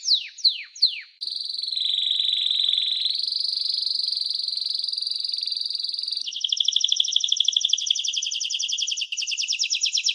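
A canary sings: three quick falling whistles, then a long steady high trill that shifts pitch, ending in a rapid buzzy rolling trill.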